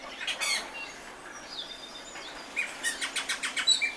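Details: Austral thrush song opening with a buzzy phrase, followed by thin gliding whistles and ending in a rapid run of clipped, sharp notes repeated several times per second.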